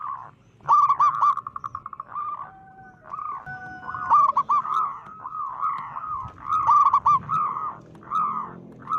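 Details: Local zebra dove with a loud, deep voice, calling to provoke and alarm other zebra doves: rapid stuttering bursts of short, mellow notes, then separate rounded coos repeated about every half second.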